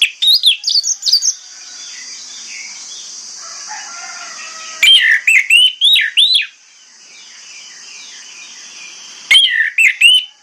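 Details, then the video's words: Orange-headed thrush morning song used to lure other thrushes into replying; three short bursts of bright, rising and falling whistled notes separated by pauses of a few seconds, faint softer bird notes between, steady hiss behind. "PANCINGAN ANIS MERAH PAGI HARI|| ANIS MERAH LAIN AUTO NYAUT"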